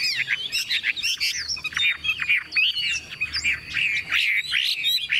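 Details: A newly bought, hand-tame Chinese hwamei sings loudly: full, mellow whistled phrases with swooping downslurs and bright upward notes, delivered in rapid, continuous bursts.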